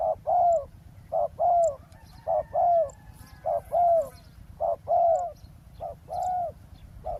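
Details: Spotted dove cooing during trapping at a roadside ground site, luring a wild dove. Steady pairs of soft hoots repeat about once a second, each a short note followed by a longer, gently falling one. Light bird chirps are heard in the distance.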